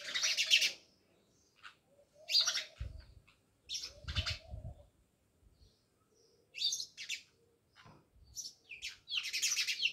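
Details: House sparrows, many of them, chirp near a village house in Jamnagar: scattered sharp chirps in irregular bursts, with occasional low knocking noises in between.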